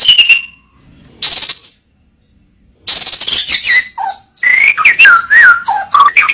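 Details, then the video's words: White-rumped shama singing for a training recording: high thin whistles with pauses, then a rich burst of warbled, looping whistled phrases dropping and rising in pitch. "Masteran burung murai batu suata unik sukses bikin emosi"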